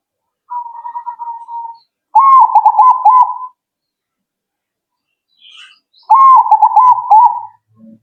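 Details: Zebra dove singing so that listeners' birds answer immediately. A gentle level cooing trill leads into two loud bubbling phrases, each rising at the start and pulsing evenly. A faint high chirp and a low note are also heard.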